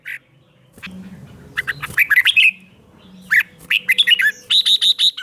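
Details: Morning training song of a red-whiskered bulbul meant to spur competitive singing: three bursts of bright, warbled chirps, the last ending in a string of quick, evenly spaced notes, with a steady low hum underneath.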